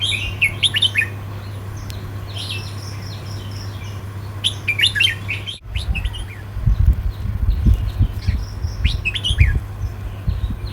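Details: Counting-style southern song from a red-whiskered bulbul: clustered bright whistled phrases early, a sharp break, then sparser notes over a rumbling low thudding background and electrical hum.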